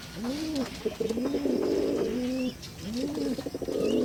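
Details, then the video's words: Angry mother pigeon protecting her young, giving low, arched coos in repeated bursts about every second, mixed with a rougher, harsh-edged rumbling. "Angry Pigeon, Pigeon sweet sound"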